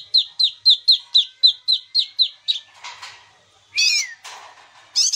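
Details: Kinoi song intended to coax silent kinoi birds into singing: a rapid row of high, falling whistled notes that gives way to harsh rasping bursts and a sweeping downward whistle.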